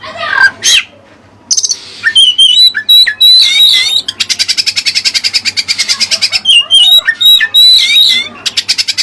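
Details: Oriental magpie-robin (kacer) singing song with learned Cililin material: loud, high whistled notes and sharp chips, then a long rapid run of repeated clicking strokes about three per second, with bright whistles woven through.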